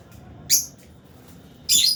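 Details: Aviary lovebirds, albino and Fisher's, at meal time: a sharp high chirp followed a second later by a longer, harsher screechy note.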